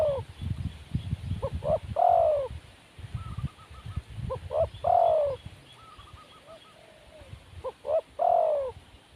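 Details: Wild spotted dove repeating its phrase three times, roughly every three seconds: two quick low notes then a long swelling coo, with faint twittering and low rumbling between phrases.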